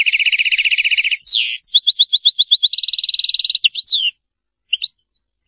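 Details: European goldfinch in Serfati song: a dense buzzing trill, a falling slur, a series of clear even chips, another fast trill, then a twisting whistle and sparse single notes.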